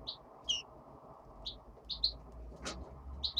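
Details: A hand-reared European greenfinch chick gives about eight short, high chirps, some in quick pairs, over a low indoor hum, with one sharp click midway.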